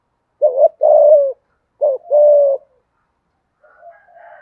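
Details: Two quick thúc gù phrases from a deep-voiced spotted dove, each a short coo and a sustained low hoot, then a faint, higher, rougher call from another bird at the end.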